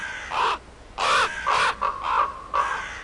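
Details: Harsh crow caws in quick succession: one opening call, then a run of five raspy, slightly descending caws with brief gaps, strong and close.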